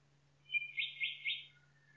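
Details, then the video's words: Forest nightingale song: two short clear whistles, then three loud buzzy sweeping notes repeated in quick succession, ending in a soft lower note, over a steady faint low hum. "Пение Соловья в лесу Singing Nightingale in the forest"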